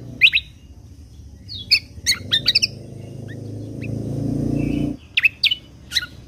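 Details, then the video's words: Lesser green leafbird (kecial kombok), 'tembakan' song for contest-bird training: clusters of sharp, high chips, a stretch of rumbling noise with a few faint notes, then another quick burst of piercing chips. "Masteran Kecial Kombok Full Tembakan Kunti Pas Buat Masteran Burung lomba Kicau"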